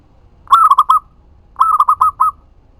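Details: Loud, close local zebra dove song for luring other doves: two phrases, each a held note followed by four or five rapid bubbling notes, about a second apart.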